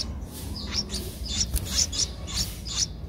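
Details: Streak-eared Bulbul nestling, 11 days old, whose eyes opened at seven days, recorded on 13 April 2023 in Ubon Ratchathani, Thailand: thin, high chirps repeated in short bursts over a low background rumble.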